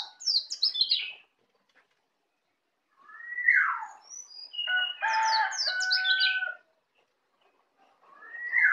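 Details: Native Bali white-eye still learning ngeplong, the young bird delivers clusters of quick high chirps and downward-slurred whistles, with a buzzy, tonal passage, separated by short silences.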